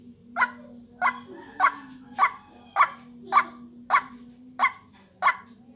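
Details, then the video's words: White-breasted waterhen, or ruak-ruak, calling to lure birds: nine rough, barking croaks spaced about half a second apart, with a continuous high-pitched tone and a low hum underneath. "Ruak Ruak pikat latihan vocal"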